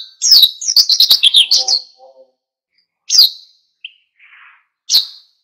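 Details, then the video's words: A burst of bright, high chirped notes from an oriental white-eye in energetic wild-style song, meant to goad other birds into singing, followed by a few isolated sharp chirps and a faint soft rasp. "SUARA PLECI GACOR NGALAS PANCING EMOSI BURUNG LAIN IKUT GACOR"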